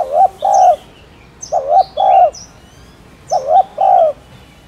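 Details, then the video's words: A spotted dove repeats its two-part coo three times at steady intervals, a wavering short note then a longer full note, while small birds chirp faintly high above. "Tiếng Cu Đất Gáy , Cu Cườm Gáy Kích Bổi"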